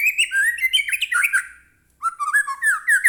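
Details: White-rumped shama pouring out a dense, loud warble of slurred whistles that sweep up and down, pauses briefly, then resumes just as richly. The recording is used to stir captive shamas to sing.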